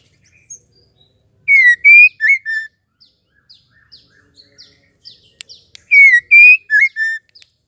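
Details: Female white-rumped shama call, used to stir male shamas into singing and fighting mood: a loud four-note whistled phrase, slurred falling then rising then two short notes, given twice about four and a half seconds apart, with faint high chirps between.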